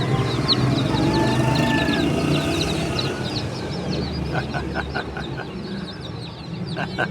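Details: Baby chickens give high, quick falling peeps in a dense cluster, then a run of sharp rhythmic knocks and clicks dominates the second half, all over low mechanical hum.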